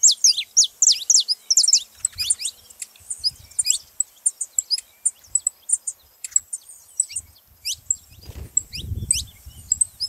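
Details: High chirping song of a saffron finch, played to prompt other canaries to sing: dense burst of sharp notes at the start, then steady separate chips roughly twice a second, with brief low noise late.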